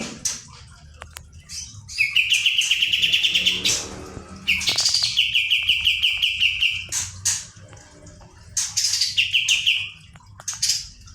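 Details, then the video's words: Olive-winged bulbul (kapas tembak) in lively 'nembak' singing: fast rattling trills of bright repeated notes, each burst lasting one to two seconds, with high sharp chirps between bursts over a low background hum. "kapas tembak gacor roll ngebrn nembak.."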